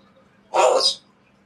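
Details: A talking African grey parrot from Russia, told to bark like a guard dog, gives one harsh, dog-like "woof" lasting about half a second; the rest is quiet, with a low hum.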